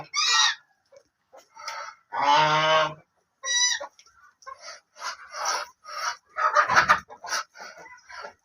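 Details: White and black ducks giving loud, harsh, nasal quacks in short bursts, with one long buzzy quack near the middle and several fainter, softer calls between.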